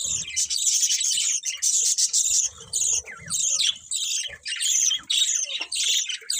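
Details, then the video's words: Colourful pet budgerigars give rapid, harsh, squawky chirps in bursts of about a second, roughly fifty per minute, with brief gaps and faint low knocks in the background. "Beautiful Colourful Budgies Chirping Sounds"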